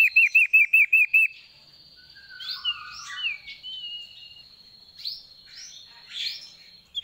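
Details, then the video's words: Sooty-headed bulbul singing. It opens with about nine quick arched chirps, then gives scattered rising and falling whistles and slurred notes, with a thin steady high tone throughout. "Asyiknya mainan burung Sirtu Gacor"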